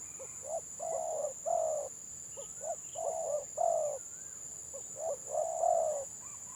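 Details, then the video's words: Stuttering 'gagap' coo of a kampung spotted dove at a Gelang Patah singing contest: groups of short hiccuping notes ending in fuller coos, faint chirps from other birds, persistent high whine. "BURUNG TEKUKUR GAGAP VS GAGAP"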